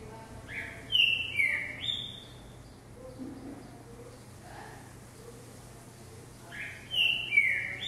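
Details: Caged green-winged saltator hopping in a jumping cage, singing on its own: two loud whistled phrases of sliding, falling notes several seconds apart, with soft low chirps in between.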